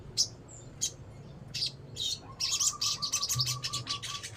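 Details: High, thin chirps from a crimson sunbird (sogon) build into a fast, insistent stuttering trill, over a faint steady whistle and low background hum.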